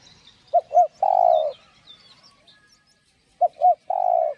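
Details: Spotted dove in 'giọng đồng' voice, played to excite caged doves. It gives two identical phrases about three seconds apart, each of two short coos and a long buzzing croo. Faint twittering from small birds comes in between.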